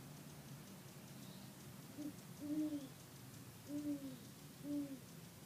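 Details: Deep, muffled hooting from a male great horned owl, Palos Verdes, Labor Day weekend 2013; a brief soft note followed by three longer low hoots roughly a second apart, with faint distant background sounds.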